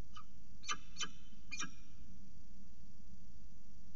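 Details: Peregrine falcon at the CSU Orange nest with food, 5 October 2018, 3:50 pm; three harsh, harmonic-rich calls in quick succession within the first second and a half, then only steady low background hum.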